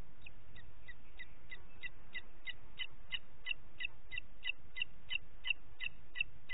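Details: Booted eagle calling in Parc Natural dels Ports on 27 June 2021 at 09:06: a steady run of short, high, sharp notes, about three per second, continuing throughout with a low background rumble.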